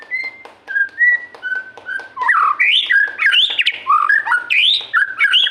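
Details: White-rumped shama (murai) singing: short, level whistles separated by ticking clicks build into dense, fluty runs of rising and falling notes.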